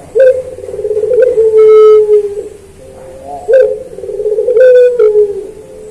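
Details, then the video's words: Puter dove (collared dove) giving pelung-style cooing for training pet birds: two long, low, drawn-out coos about three seconds apart, each steady then falling, with sharp clicks between. "Masteran Puter Pelung Manggung Atau Berbunyi"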